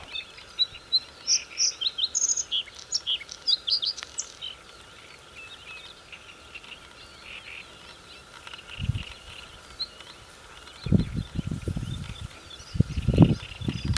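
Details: Bluethroat (Luscinia svecica) song: a quick, varied run of high chirps and ringing notes in the first five seconds, then quieter, with low wind or handling thumps near the end.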